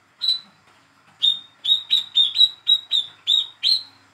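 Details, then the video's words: Hand-raised young speckled Olive-backed sunbird giving a call meant to coax silent birds into song: one chirp, then a fast run of eight bright, sharp chirps spaced about a third of a second apart. "PANCINGAN CALL KOLIBRI KELAPA/WICEH MUDA TROTOL BAHAN MACET BUNYI"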